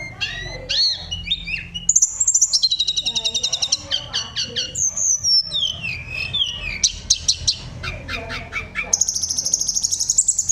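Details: Sunda robin in full rolling, flutey song that sets other birds singing: rising whistles, buzzy high trills, looping mid-pitched phrases and short rapid chirp bursts, ending in a sustained high trill.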